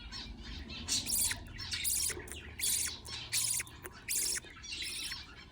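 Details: Young budgerigars begging as a parent feeds them: coarse hissing bursts, fainter at first, then louder and regular, about one per second, with a low murmur underneath.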